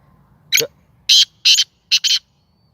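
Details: Kept Sindhi black francolin, tame and playful, giving its first call: one short grating note, then four loud harsh buzzy notes, the last two close together, over quiet low background hum.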